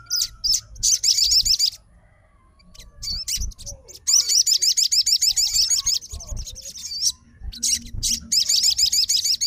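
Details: Agitated fighter sogon answering a strongly singing rival with fast, high, rippling runs of chirps in long bursts, briefly pausing between phrases, over faint low background hum.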